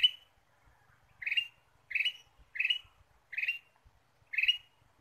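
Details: Ruby-throated bulbul used as a lure: six short, bright chirps that slide upward, repeated roughly every half to one second in a quiet setting.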